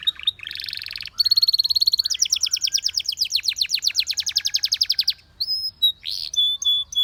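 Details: Belgian canary song: a short buzzy burst, then a long rapid rolling trill of sharp notes, ending in a few pure whistled notes separated by brief pauses.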